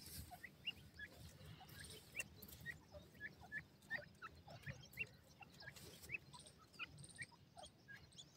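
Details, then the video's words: Partridges tweeting: many short, high, upward-flicking peeps, repeated rapidly and overlapping from several birds, over a steady low rumble of background noise. "A Day of Fun with Partridge Tweets"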